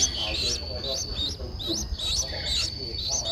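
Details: Streak-eared bulbul nestling, 11 days old, at the nest in Ubon Ratchathani, Thailand, 13 April 2023; short upslurred chirps repeated about twice a second over a steady high hum and faint background noise.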